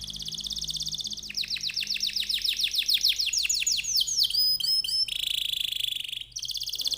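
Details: Canary in strong song, used to provoke other canaries into singing: a steady buzzy trill, then a long run of quick descending notes, sharp clicks and a loud harsh buzz, over low background hum.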